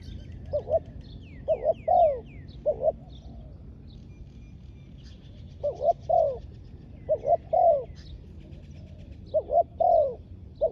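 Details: Spotted dove kept as a ground decoy for trapping wild doves, cooing in separate bursts of three to four notes, each burst ending in a longer downslurred coo, with pauses between and faint high chirps from other birds.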